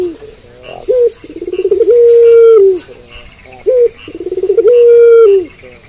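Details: Puter pelung dove singing at night. Two full phrases, each a sharp short note, then a rapid stammering build-up, then a sustained smooth coo that bends downward at the close.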